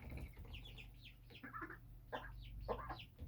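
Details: Several birds raised on a home roof give rapid, slurred chirps in quick bursts, some notes rising then falling, above a low background hum.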